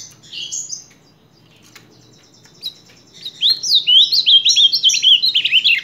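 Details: An Ultramarine grosbeak, recorded July 2023, opens with a few short high notes, then pours out a fast, sweet, warbling phrase of rising and falling whistles over a faint low hum.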